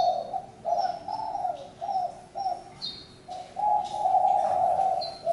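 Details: Low, hollow cooing from a spotted dove, several short notes in quick succession followed by one longer, louder drawn-out coo. Faint high chirps from other birds come through in the background.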